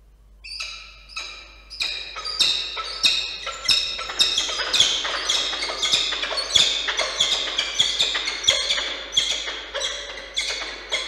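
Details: Peregrine falcon pair meeting at their nest in Orange, New South Wales, on 15 July 2023: harsh, scratchy calls repeated roughly twice a second, swelling louder and more insistent as the exchange goes on.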